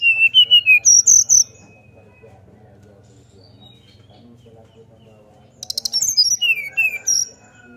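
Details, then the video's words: Sunda forktail singing flute-like with open beak, used as a lure to get other forktails to sing: two bursts of high whistled notes jumping between pitches, with a quiet pause between and a low hum underneath. "Srdc nyuling buka paruh untuk pancing SRDC lain ikut bunyi ampuh"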